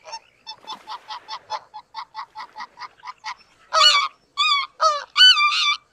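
Greater white-fronted goose: a quick run of a dozen short, nasal yelps, then several louder, higher, laughing two-note honks from more than one bird.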